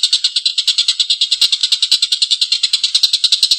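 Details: Collared kingfisher calling persistently with a long, coarse laughing chatter of grating, buzzy notes in a fast, even stream. The notes are rapid and fairly regular. Slight tapping sounds occur in the background.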